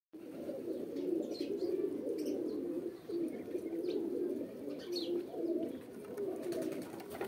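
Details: Pigeons cooing together as a flock, with low, throaty, rolling coos overlapping into a steady murmur and brief soft chirps above.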